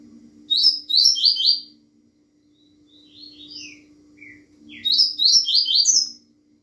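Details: Double-collared seedeater in rapid Bahiano style, delivering two bright phrases of quick, high, descending chirps roughly four seconds apart, linked by softer scattered notes, over a continuous low hum.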